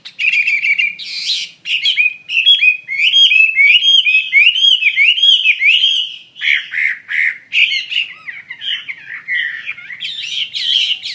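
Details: Chinese hwamei (wambi mandarin) singing actively and loudly: a long, varied stream of looping whistles, buzzy notes and sharp chips, with brief pauses.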